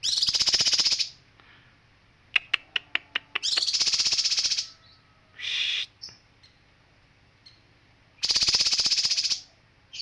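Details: Male kinoi song of dense, rapid buzzy trills, each about a second long and high-pitched. A quick run of sharp ticking clicks falls between the trills, with softer short notes in the gaps.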